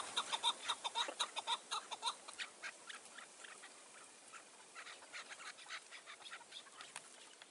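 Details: On a mountain at evening dusk in June 2018, during partridge trapping, a chukar partridge gives clear, evenly spaced cackling notes for two seconds, then the calls continue fainter and more ragged.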